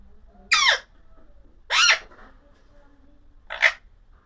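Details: Three harsh, rasping screeches from an Alexandrine parakeet, each falling in pitch, spaced one to two seconds apart over a faint low room hum.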